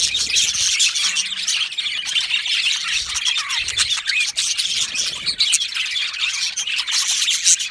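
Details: Colony of yellow male budgerigars chattering in an aviary, high squeaky chirps and short squawks layered into a steady busy murmur, one brief lower rising note near the middle.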